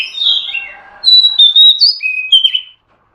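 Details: Caged female oriental magpie-robin calling to spur a male to sing and breed; a buzzy opening note, then long clear whistles and a couple of slurred downward notes, ending in silence.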